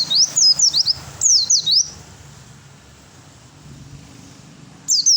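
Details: Oriental white-eye fighter bird singing to provoke a reply from others: two quick bursts of high descending chirps in the first two seconds, then quiet background, with a final phrase starting at the very end.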